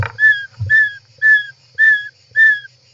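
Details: Inside a European roller nest, 18 July 2024: five evenly spaced downslurred whistled notes, roughly two per second, with a brief scuffling sound at the start.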